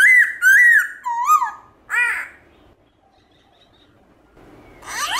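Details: Black-throated laughingthrush in morning song, 'giọng rừng đảo giọng' forest style with changing phrases: two loud rising whistles, a lower upslurred note, then a sharp downward-arching call, a long pause, and a final burst of harsh notes.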